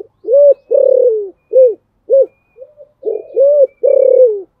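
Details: Spotted dove coaxing a rival with Thổ Sấm-voice coos: loud arched hoots and longer falling coos in an uneven rhythm, with a short soft murmur in the middle.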